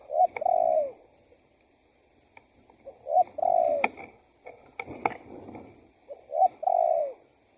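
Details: Spotted dove calling as a lure to draw wild doves in and set them calling: low, mellow coos in three phrases about three seconds apart, each a short note and then a longer, slightly falling one, with a few sharp clicks between.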